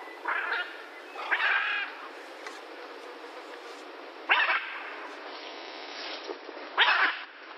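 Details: Hoarse, grating screeches from a blue-and-yellow macaw, four separate bursts a second or more apart, with faint background hiss between calls.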